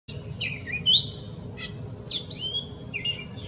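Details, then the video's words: A gray catbird sings a jumbled run of high squeaky, slurred and chattering notes, each phrase different, with short gaps between them over a faint low hum. "Gray Catbird Sing a Purrfect Song"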